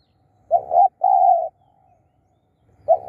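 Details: Low cooing from a spotted dove used as a decoy for wild birds: a clipped double note, then a longer steady hum, with a fresh phrase beginning near the end.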